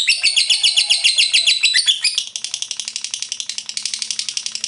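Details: Continuous ngekek chattering by a lovebird: loud, buzzy high chirps in quick succession, turning thinner and clicking at about four per second after two seconds, with a faint low hum.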